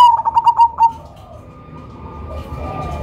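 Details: Cemani zebra dove, a loud lure bird with an unusual rhythm: the end of a phrase of rapid bubbly coos at the start, then a steady faint murmur of other doves.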